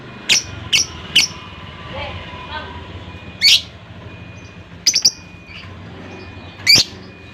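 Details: Caged lovebird giving brief shrill squeaky chirps, mostly single, some in quick pairs, spaced irregularly over several seconds against a constant hiss and a thin steady whine.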